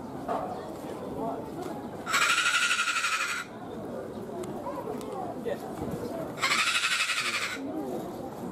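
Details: A sulphur-crested cockatoo at Ueno Zoo, Tokyo, Japan, gives two harsh, grating screeches, each about a second long and four seconds apart, over murmuring human voices.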